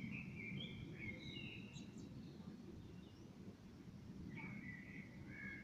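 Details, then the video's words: Common blackbird in evening song, two rich whistled phrases about four seconds apart, each a run of level and gliding notes with a few higher squeaky notes, against constant low outdoor noise. "Abendlicher Amselgesang"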